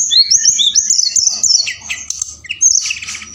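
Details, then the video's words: Night lure call of a forktail, used to stimulate other birds; a string of high shrill whistles with quick down-sweeps, then a few short buzzy bursts. "Tledekan Gunung Gacor Malam || Suara Pancingan"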